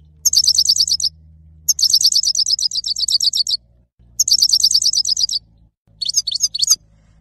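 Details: Male goldfinch, locally called saira, singing: three bursts of rapid, high, tinkling twitter, each about a second long, separated by short pauses, with a faint low hum underneath.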